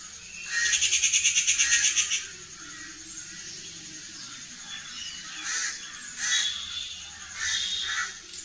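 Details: In India, a Rufous Treepie gives a fast, harsh rattle of about a dozen grating notes, then several scratchy, chattering bursts after a pause, over a faint high hiss.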